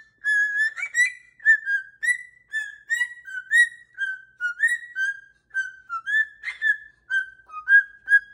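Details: Dancing pet cockatoo whistles a happy tune indoors: a long, lively series of clear whistled notes at similar pitch, short, evenly spaced and slightly bending, repeated about twice per second throughout.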